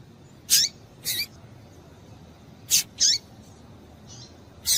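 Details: Female double-collared seedeater calling, a call used to excite males into singing; five short, high, sharp chirps with a brief downward slur, spaced irregularly about a second or more apart over quiet background hiss.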